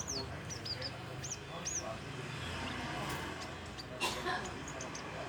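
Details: Branjangan, a young Horsfield's bush lark still learning its song, gives short high arched whistles and thin chirps at irregular intervals, with a steady low hum and a brief knock behind.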